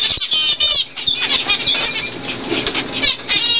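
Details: Pair of 2012-bred zebra finches, a normal cock with a fawn hen; harsh nasal chatter and buzzy notes run together, with some fluttering wing noise mixed in.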